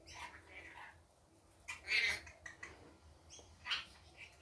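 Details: Rainbow lorikeet in the daytime giving short, harsh, high-pitched chattering squawks, with a loud burst near two seconds and another toward the end, set against a quiet low hum.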